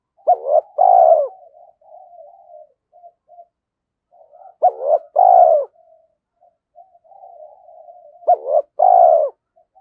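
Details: Spotted dove used as a decoy, repeating a three-part low coo about every four seconds: two short notes, then a longer droop. Soft broken murmurs fill the pauses.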